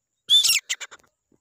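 A grey francolin gives one loud, harsh, high-pitched burst, then three or four quick clipped notes that fade away.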